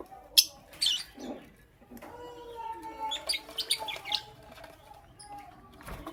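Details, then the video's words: Morning chirping from a lovebird: a loud sharp chirp opens, then a run of thin, level, tonal twitters with short scratchy notes between them. "Lovebirds Chirping Sounds"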